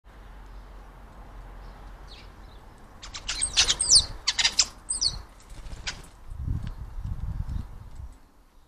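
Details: European starling imitating the calls and songs of other birds: a dense burst of clicks, rattles and thin high whistles for about three seconds mid-clip, then low thumping sounds, with quiet background hum before.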